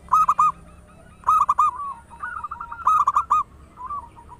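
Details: Local zebra dove, a frequent loud singer used as a lure to start others singing; three emphatic phrases of three to four cooing notes about one and a half seconds apart, with overlapping softer doves in between.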